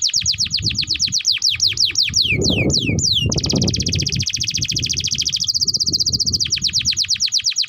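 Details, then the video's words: Canary singing a long master song for tutoring young canaries: fast repeated down-slurred whistles, a few lower swooping notes, then a dense buzzy trill and more rapid descending notes, about three per second, with low rumble beneath. "Pancingan Burung KENARI Gacor Panjang || Masteran Kenari Paud"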